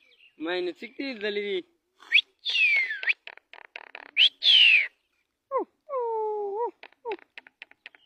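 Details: Javan myna copying human voices: buzzy voice-like syllables, loud whistles sweeping down, a pair of falling tonal notes imitating speech, then faint rapid clicks.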